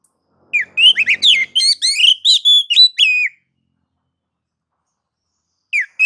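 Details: Oriental magpie-robin in nagan and ngobra singing mode, played to make rivals sing; a dense phrase of about a dozen sharp whistled and chirping notes, then over two seconds of silence before a new phrase starts.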